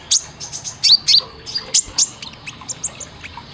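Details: Training song of a sunbird for caged birds: high thin chirps and sharp upslurred squeaks, at first rapid, then spaced out and fading into softer ticks.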